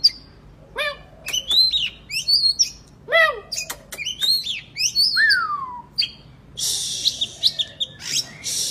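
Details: Oriental magpie-robin, a kacer, singing in a recording meant to make lazy birds sing; fast series of steep down-slurred whistles, clicks and arching phrases, ending in a long harsh hissing rasp.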